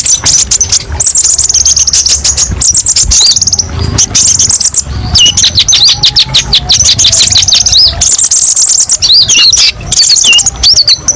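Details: Kolibri ninja sunbird masteran song rich in varied 'tembakan pedes' shots: thin high trills alternating with sharp rising and falling whistles, nearly nonstop, with a faint lower steady tone in the background.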